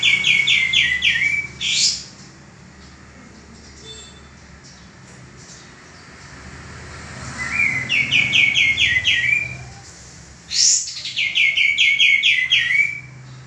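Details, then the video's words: Male common iora used as a training bird for cage birds, giving three short bursts of rapid chirped notes, each started by a high rushing sweep, separated by pauses of a few seconds. "suara burung kapas tembak jantan gacor sangat cocok buat masteran"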